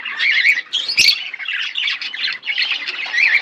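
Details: Budgerigar pair chattering loudly: grating squawky chirps and wavering warbled notes run together, with a sharp click around one second.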